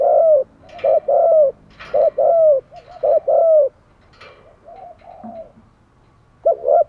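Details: Spotted dove decoy urging wild doves in: a rapid run of mellow two-part coos, short note then longer falling note, repeated closely for over three seconds, then quieter murmurs before a final burst.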